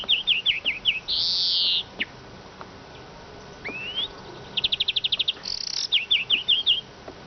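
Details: Eurasian siskin: a series of descending chirps, a long buzzy wheeze, an upward-sliding whistle, then a rapid even trill and more falling chirps.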